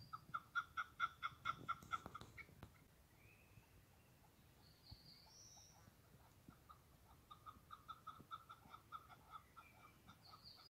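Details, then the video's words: Wild chukar partridge calling in the open: a rapid, rhythmic series of hard clucking chuk notes, loud at first, then fading and resuming more softly; thin whistles from other birds drift in between. "Keklik sesi"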